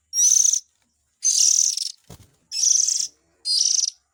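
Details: Lure recording of oriental magpie-robin young calling to attract adults: four rough, buzzy, high-pitched rasping bursts at irregular intervals, with a faint low thump between them.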